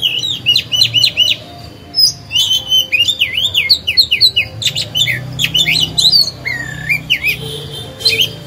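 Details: Captive oriental magpie-robin singing to stir other birds into song; repeated zigzag whistled notes in quick series, sharp high clicks, then a low bending whistle near the end.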